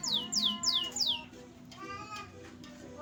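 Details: Caged canary gives four quick, high downward-sweeping whistles in a row, each sliding from very high to mid pitch, then goes quieter while faint voices and other soft sounds continue.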